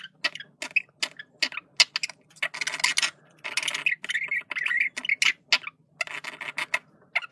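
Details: Male budgerigar giving communication sounds: a run of short clicking chirps and broadband ticks broken by longer buzzy, rasping warbled phrases around the middle, all high-pitched and chattering.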